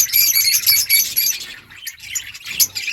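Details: Budgies chirping together: a loud burst of rapid high warbled chatter for about a second and a half, then softer scattered chirps and a sharp note near the end.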